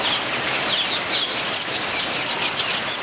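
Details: Captive nesting metallic starlings, Scripps Aviary, San Diego Zoo: thin, high whistled notes and quick tinny chirps come in rapid, overlapping bursts over a continuous hissing wash of background noise.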